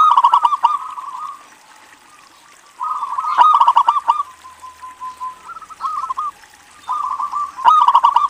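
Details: Zebra dove, a local singer used to draw other doves into calling. Bubbling coo phrases with loud stuttered bursts at the start, middle and end, plus a softer run of even notes between them.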